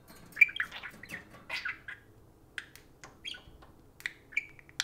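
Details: Parakeets kept as pets chatter at a spoon in clear short phrases of high chirps and squeaky warbles. The phrases come in quick clusters with brief silences between them.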